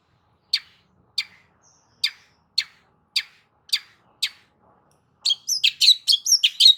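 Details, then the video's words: Long-tailed shrike lure song for a shrike that will not sing. Seven dry, sharp clicks arrive at half-second intervals, then break into a dense, varied jumble of high squeaky notes. "CENDET MACET COBA PANCING DENGAR KICAU"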